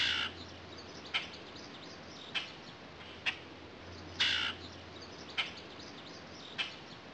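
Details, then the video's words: A backyard Common Grackle gives harsh, raspy chack notes about once a second, with two longer grating squawks, over a faint steady low hum. "Quiscale Bronzé"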